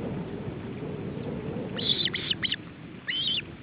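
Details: At a nest in Estonia in July 2012, with a male osprey attempting to feed his chicks: two short runs of sharp, high chirping notes against a steady low background rumble.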